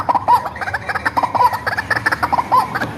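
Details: White-breasted waterhen raised by hand, its voice used as a lure call: gobbling, laugh-like nasal phrases repeated three times, each a quick chattering cluster of croaks.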